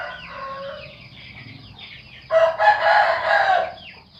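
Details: A rooster crows in a loud, trumpet-like voice, one sustained harmonic call of about a second and a half with a slight rise and fall. Quieter high chirping from other birds is heard before and after.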